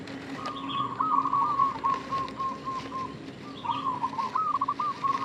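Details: Local zebra dove lure call for baiting, delivered as two extended trilling phrases of pulsed cooing notes, the second ending on a rising flourish, with faint chirps from other birds and a low hum.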